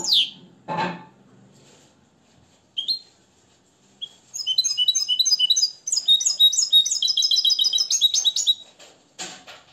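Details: Nest-raised European goldfinch in Morocco, tutored in limpio song: a few scattered high notes and rustling noises lead into a long, rapid rattle of bright, repeated metallic twitters.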